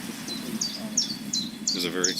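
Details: Red-winged blackbird calling at a swamp, a series of crisp, high, falling notes spaced about three per second, followed by a rougher buzzy phrase, over faint outdoor background and low speech.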